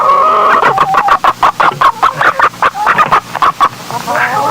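A hen clucks in a quick series of short, throaty notes, with a drawn-out cackle near the end.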